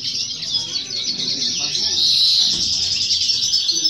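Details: Brief burst from a novice European goldfinch at a 2018 or 2019 singing competition: thick, fast twittering and buzzy chatter growing louder midway, with murmured voices in the background.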